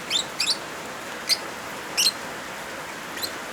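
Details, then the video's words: Lovebird calling with rain sounds, for therapy of birds that stopped singing: a handful of faint, short squeaky chirps scattered through dense rain hiss. "Suara Original Lovebirds kombinasi suara hujan"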